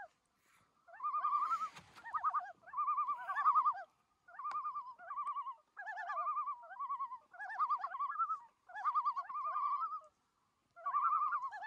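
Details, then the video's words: Loons in the Canadian wilderness of Algonquin Park give rapid, wavering, laughing tremolo phrases around a mid pitch. The phrases come in quick bursts of about a second, repeated almost without pause, with a brief crackle early on. "Loon Calls"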